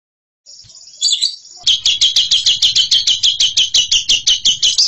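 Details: Bird singing in the ngekek style, described as a champion ngekeker: a long, high chattering trill of rapid, sharp notes about three per second that builds after a brief thin whistled opening. The notes are loud and evenly spaced.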